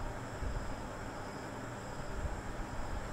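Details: Steady low rumbling engine-like noise, strongest in the deep bass, with no animal calls.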